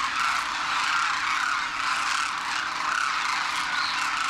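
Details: A vast wintering flock of wild Demoiselle Cranes at Khichan Village in Rajasthan, India, juveniles and adults together after crossing the Himalaya, lifting off; unbroken wall of overlapping rattling calls, brighter trilled notes surfacing now and then, over a faint low hum.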